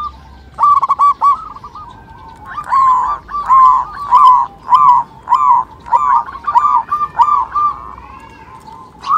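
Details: Lure calls of a local zebra dove, meant to start other birds calling: a quick stutter of clipped notes, then a steady series of longer, fuller cooing notes repeated roughly every half second.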